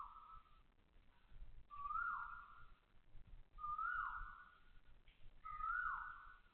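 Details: In Singapore's Toa Payoh Lorong 8 at 6:30 am, 20 October 2025, an Asian koel calls loudly: four clear, rising-then-falling whistles in steady succession, about two seconds apart, against faint low background noise.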